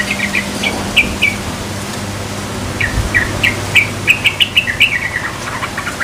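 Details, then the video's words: Young yellow-vented bulbul just learning to sing, giving a halting series of short, bubbly chirps and slurred whistled notes, loosely repeated several times a second, over a steady low engine hum. "Suara Burung Trucukan Yang Baru Belajar Berbunyi"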